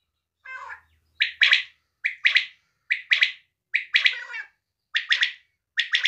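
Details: Madi batair, a female quail, repeating rapid three-pulse calls roughly every 0.9 seconds. A softer, lower buzzy note comes first and a faint low hum sits in the background.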